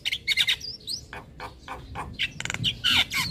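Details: Javan myna lure and master song for young birds, packed with varied phrases: a dense jumble of harsh chattering bursts, squawks and short rising and falling whistles in quick succession.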